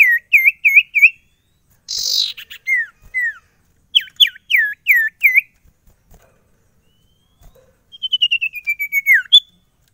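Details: Kept sirtu: loud hooked chirps in quick series, a harsh buzzy burst, more curved chirps, then a fast trill-like run of short notes sliding slightly downward.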